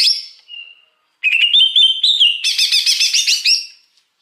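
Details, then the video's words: Wild greater green leafbird, recorded for luring, gives a brief whistle, then a rising warbled phrase. It breaks into a dense, fast, buzzy trill of repeated notes lasting over a second. "Suara Pikat Cucak Hijau Liar"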